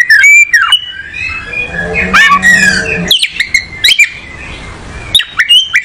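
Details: Oriental magpie-robin giving short whistled phrases and upslurs separated by gaps, with a low steady hum underneath in the middle section.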